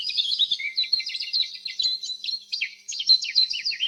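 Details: Canary chirping continuously: rapid, high, twittering trills mixed with short descending slurred notes and a buzzy low trill early on.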